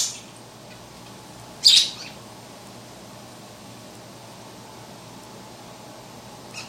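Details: A pet bird chirping while playing with its large plastic ball toy: a single short, sharp, high chirp about two seconds in, otherwise quiet indoor hiss.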